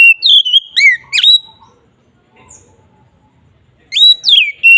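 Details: Ngeplong song of an Oriental magpie-robin, played to lure other magpie-robins: a brisk run of loud whistles with steep upward and downward sweeps, a quiet pause, then another whistled phrase returning near the end.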